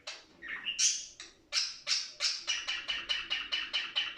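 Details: Budgerigars recorded to encourage other budgerigars to breed; a few squeaky whistled notes open into a steady run of short buzzy chirps repeated about four times per second.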